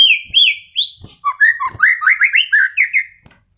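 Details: White-rumped shama in early moult, a kept model bird still singing: looping high whistles open the phrase, followed by a rapid rolling series of short rising notes, with faint thumps beneath.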